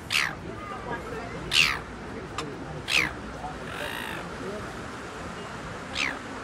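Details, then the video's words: A gull gives four loud, harsh, slightly falling calls spaced about one and a half seconds apart, with a fainter call between them, over steady background noise. "Awesome Seagull Sounds"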